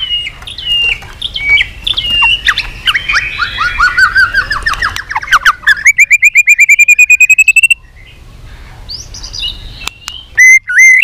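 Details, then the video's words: White-rumped shama (chòe lửa) in training for singing contests, delivering 'hót đấu' contest song in many voices: sliding whistles, descending buzzy runs, then a fast rhythmic trill of repeated notes and a final looping whistle. "chòe lửa hót đấu .luyện chòe lửa căng lửa hót nhiều giọng"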